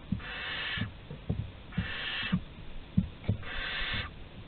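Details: Barn owl chicks in Théding, France, on 15 August 2020 at the nest entrance during prey deliveries give three long, harsh hissing bursts of under a second each, separated by soft knocks and thumps.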